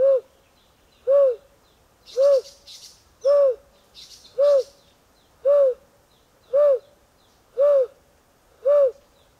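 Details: A male Narina Trogon in spring/summer forest at St Lucia, South Africa, answers an imitated call with nine low, soft, slightly rising-and-falling hoots, about one a second, with faint rustles and higher sounds between.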